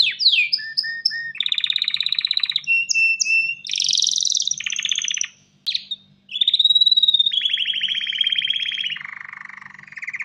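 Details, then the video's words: Mating song of a male canary calling a female: quick whistled notes, buzzy sustained rolls, a brief break near six seconds, then a long trill dropping into a lower rattle; faint low hum beneath. "تغريد كناري ومناداة للتزواج"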